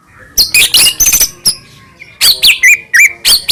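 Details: White-rumped shama in lure song meant to stir other shamas to sing; rough scratchy bursts, then bright looping whistles and short upslurred notes.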